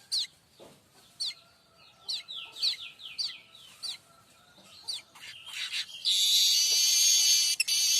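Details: Streaked weaver tutor song for training magpie-robins and shamas: a quick run of high chips and falling slurred notes, then a long, loud, harsh buzzing wheeze.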